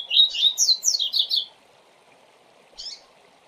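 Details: Teaching song of the 'Tui Tui Zel Zel' type from a double-collared seedeater: about six quick, high, slurred whistles within a second and a half, followed by silence and one brief chirp.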